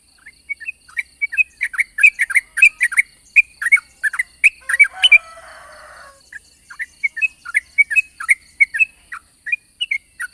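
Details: A yellow-vented bulbul's long rapid 'ropel' song, recorded in the morning as a lure: continuous bubbly, jumbled notes, briefly blurred midway by a rough burst of noise, then the quick phrases carry on.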